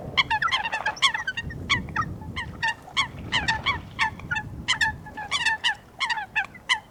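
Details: Coot in a natural wetland calling steadily: loud, short, nasal honks repeated in quick uneven succession, with a low rumbling background.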